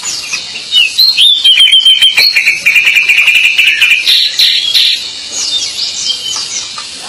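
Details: Pied bushchat in energetic, non-stop song: a fast, rhythmic series of repeated high chattering notes about three per second, running into a buzzy, scratchy trill and ending in scattered high chirps.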